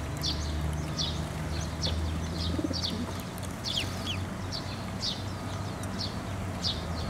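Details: Fledgling and adult sparrows gathering at a shrine's water bridge for food, 11 May 2024: repeated sharp downward chirps about twice a second over a steady low traffic-like hum.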